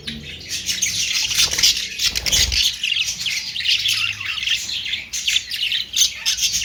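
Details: Budgerigars keep up constant high, buzzy twittering and chirps, with a brief low thud around two and a half seconds.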